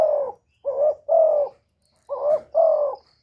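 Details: Spotted dove from Cà Mau, Vietnam, a decoy bird calling to lure wild doves: five mellow, slightly hoarse coos in two groups, each note about half a second, with short silent gaps and no background noise.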